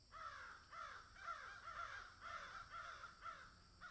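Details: Crows in a field keep up a steady series of about eight harsh, nasal caws, one every half second, with no other sounds.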